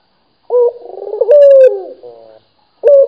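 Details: Clear, close coo from a local Barbary dove: an abrupt onset, a wavering purr rising into a steady held tone, then a softer flat murmur. After a short silence another phrase begins.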